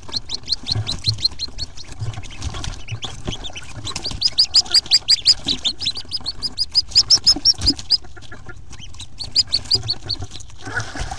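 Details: Nest-box recording of Hooded Merganser ducklings, hatched April 1, 2014 and jumping out the next morning. Bright, rapid peeps overlap in dense runs, with short gaps and faint rustling below.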